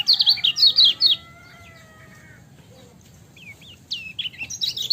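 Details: Song of a lemon-bellied white-eye (kecial kuning) in a training recording: a quick run of sharp high chirps, a faint drawn-out tone, a quiet gap, then rising scattered chirps that build again.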